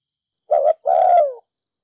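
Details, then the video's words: Single 'thúc gù' phrase from a Ninh Thuận spotted dove with 'đồng pha thổ' voice, used to excite decoy birds: a short wavering double hoot followed by a drawn-out, slowly descending coo, in silence. "Cu gáy kích bổi nhanh nổi,THÚC GÙ Giọng đồng pha thổ,cu gáy ninh thuận mồi đất thúc gù"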